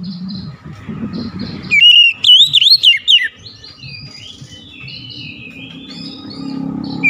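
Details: Oriental magpie-robin giving one loud burst of swooping, ringing whistles. It follows softer high notes over a low rumbling background, then gives way to quieter drawn-out whistles and steady low noise.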